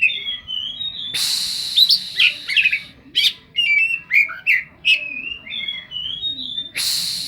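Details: Kacer, the oriental magpie-robin, in song packed with cetdet-like fill-ins: a string of sweet whistled notes and downslurred chirps, framed by two loud, noisy, rasping bursts near the start and end.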